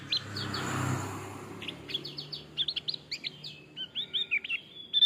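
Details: Male Javan grey-throated white-eye song used for tutoring; after soft opening notes, a string of quick, clear, downslurred whistles and short trilled phrases.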